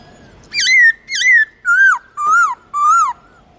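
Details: Laughingthrush song meant to stir a pet bird into singing: five rich whistled phrases, evenly spaced about half a second apart, the first two high and wavering, the last three lower with gentle rising-falling curves.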